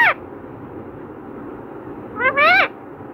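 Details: Talking parrot imitating human words like 'Radhe Krishna' gives a clipped fragment, then a nasal, rising-and-falling two-part utterance over a steady background hiss.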